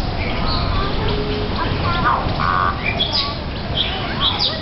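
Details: Warbled banter from golden-crested mynas kept in a Hong Kong Park aviary, Hong Kong: harsh squawks, one buzzy rasping note midway, and scattered sharp whistles and chirps, while Bali mynas nearby spar over corn.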